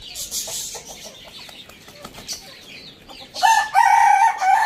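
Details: Morning crow of a rooster starting late, loud and harmonic with a wavering middle, after a stretch of soft clucks and high chirping from smaller birds.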